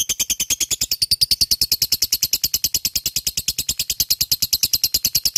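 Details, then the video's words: Lovebird bred for contests pouring out a full ngekek song, a long, even rattle of rapid, sharp, high-pitched notes continuing for over five seconds. "LOVE BIRD FIGHTER full ngekek GACORR"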